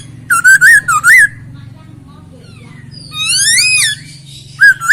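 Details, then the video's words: Isian-style song of a masked laughingthrush, clean and full-voiced: a run of four loud wavering whistles, a pause over low background hum, then a long arched whistle and a final bright note. "Poksay Hongkong isian suara jernih dan mewah"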